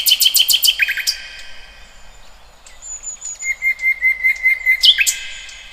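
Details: Birds singing freely outdoors: a quick run of loud repeated chirps, a pause with faint high whistles, then an evenly paced trill of about ten bright notes and a final rising whistle.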